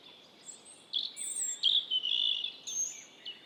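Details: Wild robin delivering a high, sweet warble of sliding whistles and short bursts, with thin piercing notes above and a quiet hiss behind.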